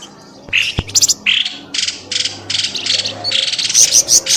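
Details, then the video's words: Bird calls from a lure meant to bring birds out of the undergrowth: a quick tapping click, then rapid, uneven series of high, buzzy chirps growing louder toward the end. "SUARA PIKAT BURUNG pelamboyan ribut"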